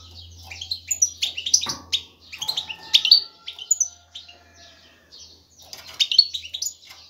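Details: Male European goldfinch ready to breed, singing excitedly to call and attract a female for mating and nesting; bursts of high twittering, chirping notes with short pauses between phrases and a faint low hum beneath.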